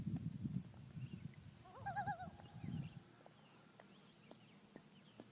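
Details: A loon on a lake at Clearwater, Minnesota, gives a brief, quavering, wavering call near the middle, heard while kayaking on a camping weekend, over low rumbling and splashing from paddling.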